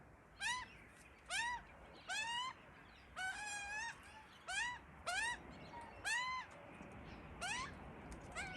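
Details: Pair of baby Australian magpies in a tree begging endlessly for food as parents tend them; loud, upward-sweeping harmonic wails repeated at irregular intervals, one longer drawn-out cry midway, faint background noise.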